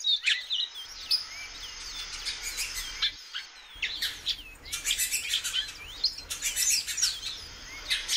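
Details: Female great-billed seed-finch calling repeatedly, giving brief curved whistled notes scattered through the recording amid bursts of dense, dry ticking and chattering sounds, with a short pause near the middle.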